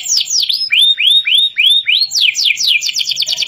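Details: Young canary practising its song: a few sweeping slurs, then five clear arched whistles repeated about every quarter second, followed by a rush of rapid, rattling high trills.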